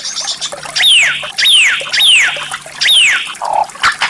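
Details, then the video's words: White-rumped shama on a training recording of rare, unusual song phrases said to impress competition judges. Loud, clear whistles slide steeply downward, repeated four times at about two-thirds of a second, then a short low note. "Terapi Masteran Murai Batu tembakan Langka, suara aneh memikat para juri"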